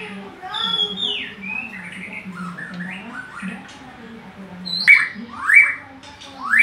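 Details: Oriental magpie-robin singing lively, varied whistles, including slurred notes and sharp rising sweeps that grow louder near the end. A steady low droning sound runs underneath throughout.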